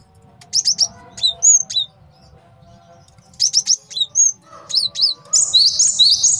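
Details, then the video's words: Male cinereous tit master song for bird training and trapping: short groups of sharp chips and thin whistles separated by pauses, closing with a shrill buzzy trill. "MASTERAN GELATIK BATU JANTAN BAGUS BUAT MIKAT DAN MASTERAN BURUNG JAWARA"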